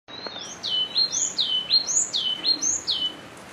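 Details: Yellow-cheeked tit (Machlolophus spilonotus), a social bird, repeating high, clear two-part phrases: a rising whistled note dropping into a lower slurred one, about five phrases in quick succession against a quiet background.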